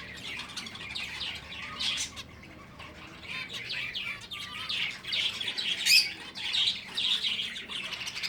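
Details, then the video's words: Finches in a breeding setting: a dense chorus of short, high chirps and tweets overlapping throughout, with louder bursts near the middle and a few lower squawky notes underneath. "finches bird breeding"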